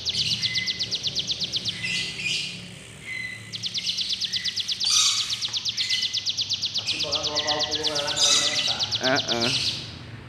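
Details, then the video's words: Sunda warbler keeps up sustained rapid high trills with occasional buzzy bursts. Lower, harsher notes from another source break in near the end. "Burung cibleg gunung unik suaranya"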